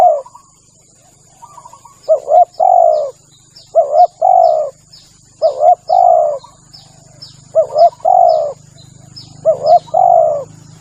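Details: Lure call of a spotted dove: five evenly spaced phrases, a quick double coo then a drawn-out hoot, with many small birds chirping high above, a steady hiss and low rumbling hum.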